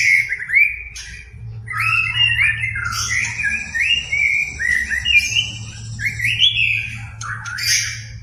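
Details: White-rumped shama song, a caged bird provoked into singing: rich whistled phrases that rise and fall, with sharp upslurred notes and high squeaky accents, running continuously, over a steady low hum in the background.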